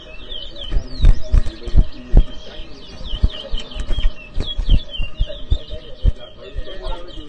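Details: Towa towa bird competing in an inter-zone whistling contest in New Amsterdam, Guyana, giving quick repeated whistled notes and chattering twitters, partly masked by heavy low thumping handling noises.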